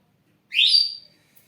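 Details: Caged ashy drongo, a lure bird for other birds: one upslurred whistle of about half a second, clear and bright, rising then holding steady before fading.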